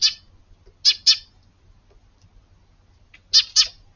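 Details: Early-morning sparrow family in a garden on 24 February, with calls more varied than a plain chirp; harsh chirps in pairs separated by long silent gaps.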